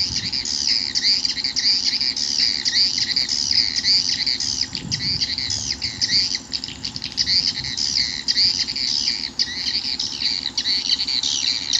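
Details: Swiftlet call played as a lure to draw swiftlets into a nesting house: a dense, continuous stream of high, rapid twittering chirps lasting throughout, with a faint low hum beneath.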